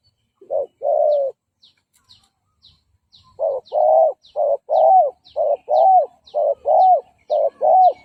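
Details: Spotted dove decoy coo used to lure and provoke wild males. Two opening coos are followed by a pause, then a steady rapid series of paired short and hooked coos. Faint, regular high ticking chirps run throughout.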